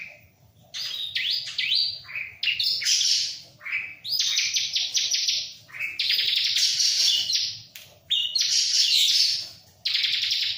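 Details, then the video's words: Spirited bar-winged prinia song near a myna: dense, high buzzy trills and sharp chirps in phrases of one to two seconds, separated by short gaps. "Burung CIBLEK ga stress sama jalak"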